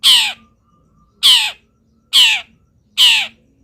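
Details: Long-tailed shrike, singing strongly while moulting, gives four loud, harsh, grating notes with a falling tail, spaced close to a second apart.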